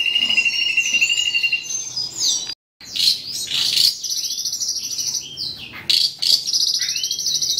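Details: An Asian pied starling copying its keeper's songs. Whistled phrases lead into loud, rasping, chattering bursts, a brief silence, then more harsh notes and long high trilled whistles.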